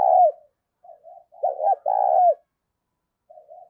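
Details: Spotted dove decoy cooing to draw in wild birds: the end of one coo, soft low notes, two sharp hoots and a long coo curving downward, with a last quiet murmur.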